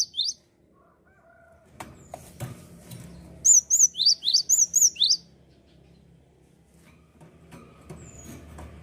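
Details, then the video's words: Singing Java sparrow, offered as encouragement for birds that have stopped singing: a brief note at the start, then a single phrase of high arched whistles and rising sweeps over low rumbling and clatter. "gelatik gacor cocok penyemangat burung bahan & macet bunyi"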